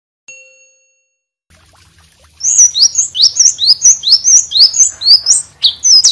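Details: White-rumped shama in energetic full song, used as a master song for training other birds: after a brief tone and quiet start, a rapid run of loud high whistled and slurred phrases repeats about twice a second.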